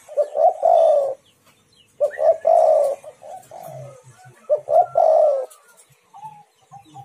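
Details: Spotted dove cooing to draw other doves into calling: three phrases spaced roughly two and a half seconds apart, each a pair of short notes leading into a drawn-out falling coo, with faint low thumps between.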